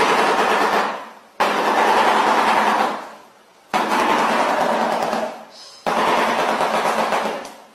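A shoebill claps its bill in four loud, hollow, machine-gun rattles, each lasting about one to one and a half seconds, with brief pauses between them.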